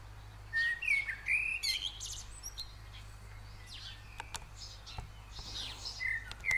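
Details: Feeding at a Eurasian blue tit nest in a hand-made ceramic head; a cluster of high squeaky wavering calls early, then sparse faint chirps, clicks and a final squeak over low hum.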